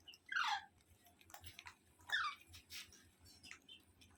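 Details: Parrot, kept as a pet, giving two loud harsh calls that fall in pitch, about one and a half seconds apart, with faint clicks and a low hum between them.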